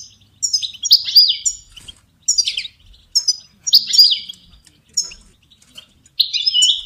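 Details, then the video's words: European goldfinch song for training songbirds: a lively run of high twittering and sliding notes in bursts about one to two seconds long, separated by brief pauses, with faint low thumps underneath. "Goldfinch ringtones for hunting and high motivation"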